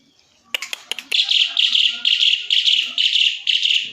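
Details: Asian pied starling singing: a few sharp clicks, then a run of buzzy, rasping bursts repeated about three times a second. The bursts stay high and harsh, with no other clear sounds.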